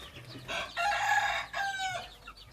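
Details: Rooster crow from a hybrid junglefowl: a long, strong harmonic phrase, then a falling final section. Light chirping sits underneath.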